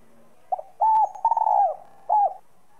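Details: Spotted dove in the 'giọng son' cooing style, calling to excite other doves. One full phrase: a brief soft lead note, a long level coo, a rolling tremulous coo that slides down, then a short falling closing coo.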